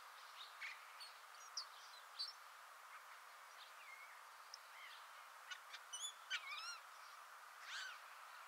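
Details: A Hawfinch gives sharp, high ticking calls and a soft, rambling subsong twitter of thin notes, with a steady background hiss.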